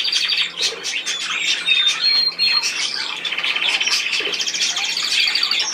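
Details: Budgerigar chatter with harsh squawky notes, a few thin whistled strokes and rippling trills, several birds calling at once without pause.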